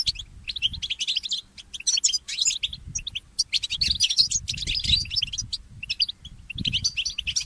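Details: Mule goldfinch singing in the early morning, a steady stream of bright, high twittering notes and scratchy trills with short breaks, faint thuds underneath.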